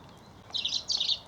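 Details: European robin on a chill, breezy late-February afternoon (25 Feb 2022) in countryside near Stevenage, Hertfordshire, around quarter past four, joining a walker for lunch scraps; it sings two brief, high, thin phrases of fast twittering over quiet hiss.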